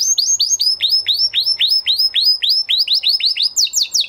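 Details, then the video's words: Singing canary following its moulting period: a rapid train of descending slurred notes, around five per second, ending in a quicker, higher chattering roll. "Canary Trying To Unlock His Full Singing Potential Part 2 - Canary Singing Video"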